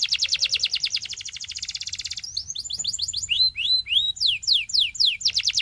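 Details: Belgian canary song: a quick rolling trill shifting to a faster buzzy roll, followed by clear slurred whistles that slide downward, repeated in a steady rhythm.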